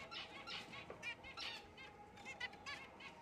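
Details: Black cheek jumbo zebra finch giving quick nasal honks with ringing overtones, about one a second, in uneven groups, with light rustling behind.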